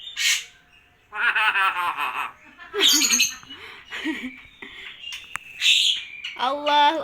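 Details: Common hill myna clearly saying "Assalamualaikum" and "Allahu akbar" and imitating a cough; buzzy, voice-like phrases separated by brief pauses, ending in a harsh harmonic squawk.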